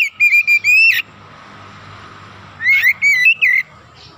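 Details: Oriental magpie-robin (kacer) in gacor song, used as a lure: a short phrase of bright whistles, over a second of soft background hiss, then a second whistled phrase.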